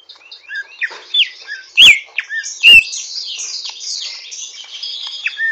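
A greater green leafbird twitters roughly in quick, jumbled high notes with a few clear slurred whistles, broken by two sharp clicks.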